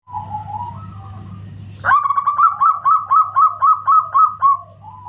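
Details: Zebra dove (local perkutut) singing loudly: after a soft low warble, a sharp rising note opens a run of about ten rapid, evenly spaced whistled coos, roughly four per second, tapering off; a steady low electrical hum underneath.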